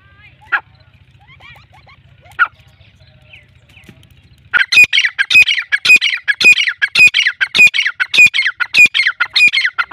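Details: Sindhi-breed black francolin, a caged calling male, delivers its loud grating call: two isolated notes, then from about the halfway point a steady run of harsh, squawky pulses repeated roughly twice a second until the end, with a low hum before the call begins.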